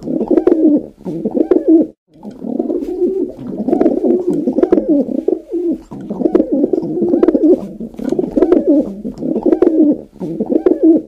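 Pigeon cooing: soft, low, throaty rolling coos, repeated in bursts of about a second with brief gaps, continuous and close, with little else heard.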